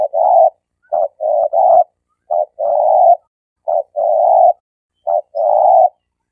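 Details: Spotted dove giving a stuttering lure call, used for training newly caught birds and as a hunting lure: low soft coos in phrases, each a short clipped note followed by a longer rolling coo, repeated about every one and a half seconds.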